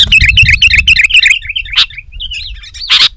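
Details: Sooty-headed bulbul, lively song to attract wild bulbuls: fast repeated bubbly, whistled phrases about four per second, trailing into looser warbling notes with two sharp harsh calls, over low background rumble.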